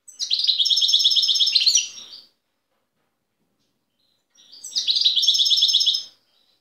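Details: Wild European goldfinch singing near Tiaret, recorded in 2015: two bright, rapid twittering phrases of about two seconds each, high and tinkling, separated by a two-second silence.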